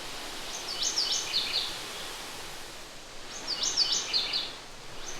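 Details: Mourning Warbler in deciduous floodplain forest by the Whiteface River, Sax-Zim Bog, on the morning of June 2, 2020, gives two loud, rolling bursts of paired 'cherry cherry cherry' song notes, each about a second long, over a steady hiss of outdoor noise.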